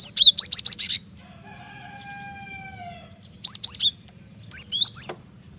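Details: Cinereous tit in full song for luring and training birds: a fast rattle of about eight high chirps, a drawn-out lower tone lasting about two seconds, then two shorter bursts of bright whistled notes.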